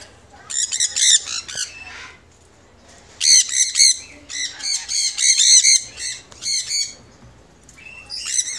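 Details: Young conures at a bird store in Arizona at screaming hour, giving piercing, raspy screeches in bursts of several cries, broken by quieter gaps with faint background murmur.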